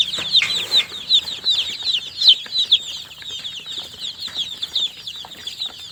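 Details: A brood of newly hatched chicks calling in quick succession, piercing high peeps repeated nearly three times a second, rising and falling in loudness as different chicks join, indoors with faint rustling.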